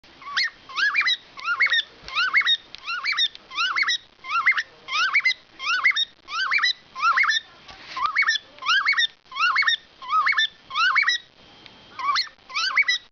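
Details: Cockatiel whistles a bright run of short, rising phrases about once a second at bedtime, one of two male cockatiels covered in their cage ready to sleep, the other seemingly unimpressed.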